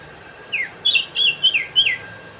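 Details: Sooty-headed bulbul song: a quick run of five clear, slurred whistled notes, some rising and some falling, delivered within about a second and a half over a quiet background.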